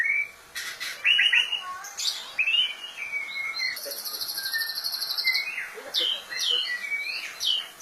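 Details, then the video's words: Singing white-rumped shama: bright, high whistles sweeping down, fast buzzy trills and sharp chips, mixed into a lively, irregular song with short gaps. "Kicau Mania Burung Murai Batu"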